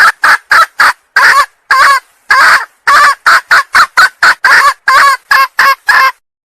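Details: Female red junglefowl calling to attract males, a loud series of about sixteen short, harsh, cackling notes, each under half a second, repeated in quick succession with no other sounds.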